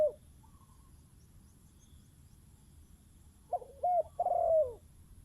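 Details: Decoy spotted dove facing a wild dove; a brief coo at the start, then one low three-note cooing phrase near the end after a quiet gap.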